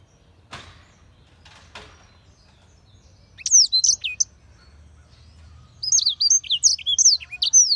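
Black-throated canary singing two quick bursts of high, sweet twittering notes with sharp rising and falling slurs, preceded by a couple of soft rustling knocks.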